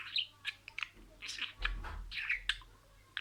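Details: Talking budgerigar repeating words: brief, high, squeaky syllables in spaced bursts over a low rumbling background noise.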